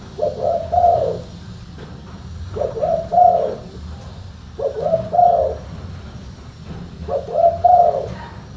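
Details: Spotted dove giving a deep, full-bass cooing call: four low phrases, each a short lead note run into a longer throaty coo, repeated about every two seconds over a steady low hum.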